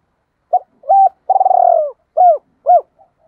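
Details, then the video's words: Spotted dove cooing in a double-voice style: low hooted coos, a short note, a longer purring rolled coo, then two clean arched coos, very clear against silence. "Tiếng chim cu gáy gọi hai hậu hay còn gọi là giọng đôi ròng"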